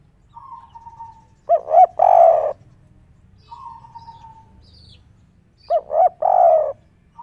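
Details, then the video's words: On a roof, a spotted dove rages in its melodious kuk 3 style: twice a faint high whistle precedes loud low coos, two clipped notes followed by a longer, broad, husky coo, in a slow steady rhythm. "derkuku tekukur kuk 3 ngamuk diatas genteng suara merdu dan langka"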